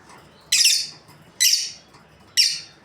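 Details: Breeding pair of lovebirds giving three harsh, high-pitched chirps, each a broad burst about a third of a second long, spaced roughly a second apart over a quiet indoor background.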